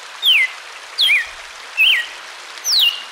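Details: Song of the red-cowled cardinal for training birds kept by breeders: four loud, slurred whistles, some falling and some wavering, spaced under a second apart against steady background hiss.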